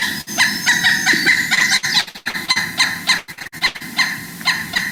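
Pileated Woodpecker giving loud, nasal, ringing calls in an uneven series, about three notes a second, with sharp clicks and thumps between them.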